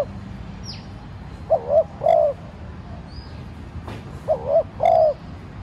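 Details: Caged decoy spotted dove cooing gently to provoke wild doves to call: two low hollow phrases about three seconds apart, each two brief coos and a longer one, with faint high bird chirps behind.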